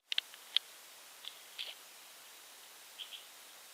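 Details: Blue-winged leafbird bathing in a garden gives a few sharp, high chips and short squeaky notes at irregular intervals, with faint clicks and a quiet background.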